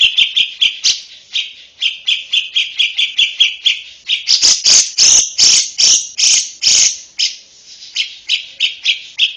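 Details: Tutor recording for untrained young lovebirds: continuous rapid high chirping for over nine seconds, broken midway by a loud run of harsher, broadband notes.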